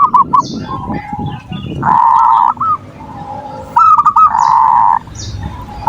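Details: Zebra dove (perkutut) giving manggung song, used as a lure to provoke rival birds and stir breeding urge in lazy singers: short arched cooing notes near one pitch, broken by two long buzzy rolled phrases, with high chirps of other birds behind.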